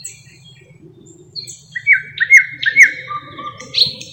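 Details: Thrush nightingale (Luscinia luscinia) singing, a species known for mimicking other birds: scattered thin whistles, then a run of loud, clipped repeated notes, a lower steady series and a rising buzzy flourish, over a low continuous hum.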